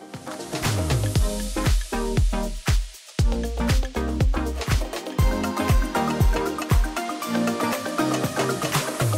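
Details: Upbeat dance music with a steady beat and bass plays throughout, with no animal sounds.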